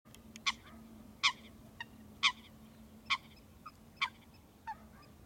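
An Eastern spot-billed duck gives harsh, nasal quacks, six strong ones roughly a second apart with softer notes between, over a faint steady low hum.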